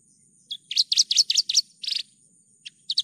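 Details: Javan bush lark song in a tutor recording: quick chirping notes, a buzzy phrase, a lone note, then more rapid chirps, with a faint low hum behind.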